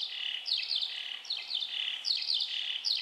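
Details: Eurasian skylark sky song, sung while hovering high over pasture on the Otago Peninsula, New Zealand, in springtime: a continuous, high, rapid warble of chirps, trills and buzzy rolls with no pauses.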